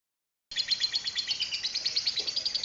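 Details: Lovebird giving a long chattering 'ngekek panjang' in the 'kereta uap' (steam train) style: after a half-second pause, a fast, steady run of high, sharp chirps, about ten per second, with no other sounds.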